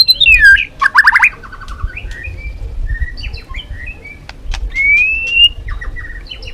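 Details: White-rumped shama, Balak 6 type, lure song for trapping birds: scattered whistled notes, a quick rising trill, then softer separate whistles and one long rising whistle, with low background rumble.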